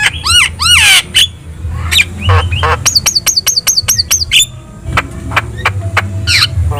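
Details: Lively Javan myna masteran song, played so other birds respond. Looping downslurred whistles open it, then a fast run of about ten identical bouncing whistled notes follows, then clicks and chips. A low background hum runs throughout.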